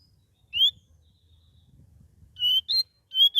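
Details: Sooty-headed bulbul, young and still learning to sing: a high thin upslurred whistle, silence, then three short high whistled notes in quick succession.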